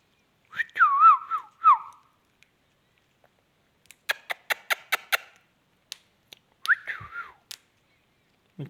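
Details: Indian ringneck parakeet in a talking display: wobbling whistled syllables at the start, a burst of rapid clicks in the middle, then another short warbled phrase and a low thump.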